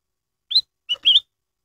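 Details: Lure song of a black-headed bulbul, used to prompt other caged birds into song: three quick whistled notes in a single phrase, a rising opener, a short steady middle note and a longer wavering ending, on a silent background.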